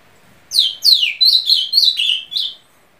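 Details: Azulão, the ultramarine grosbeak of Brazil, delivers about seven loud whistled notes in two and a half seconds, the first two sweeping steeply down, the rest short, level and slightly warbled.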